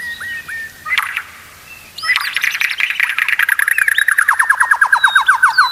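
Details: White-rumped shama song meant to get other shamas singing steadily: scattered whistles, then a loud dense burst of mixed notes that settles into a fast repeated trill, about three notes per second.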